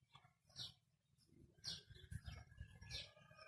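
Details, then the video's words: Talking ringneck parakeet (rose-ringed parakeet) gives three short, harsh, speech-like bursts about a second apart, over a steady low hum. "Ringneck Talking Parrot"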